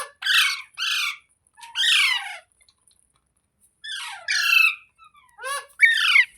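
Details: Green parrot (rose-ringed parakeet) indoors producing separated raspy, harmonic word-like squawks, three in the first two and a half seconds, a pause, then four more ending in a sharp, rising squeal.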